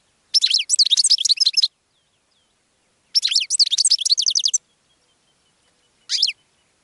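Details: Goldfinch singing to attract other birds: two long bursts of fast, tinkling twitters and buzzy trills, each over a second long and about two seconds apart, then a short final fragment, all high-pitched with a silent background.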